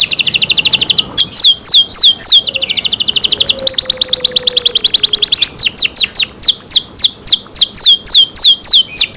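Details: Loud canary song from a kept bird: stretches of rapid high trills alternating with rows of swooping down-slurred notes, delivered almost without pause, with a faint low tone in the background.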